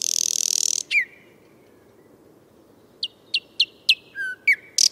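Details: Thrush nightingale singing in Moscow: a loud dry rattle, then a downslurred whistle, a pause, and a series of sharp clicking notes ending in a low whistle and a buzzy burst.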